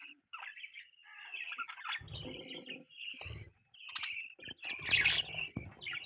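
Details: Pet budgies in a lively run of chirps and twittering warbles. The high notes come in overlapping bursts separated by short pauses, mixed with a few low, muffled thuds and rustles.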